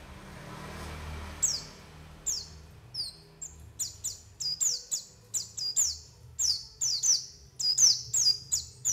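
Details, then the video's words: White-eye calls played to lure other birds: a rapid series of high, thin notes that slide downward, growing denser and overlapping toward the end, above faint low rumble. "SUARA PANGGILAN PLECI UNTUK PANCINGAN PLECI AGAR NGALAS BUKA PARUH DAN UNTUK PIKAT"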